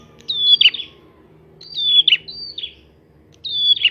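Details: Prinia song for provoking other prinias: loud high whistles that slide slightly then break into buzzy, scratchy notes, delivered in quick pairs of phrases, over a faint low hum.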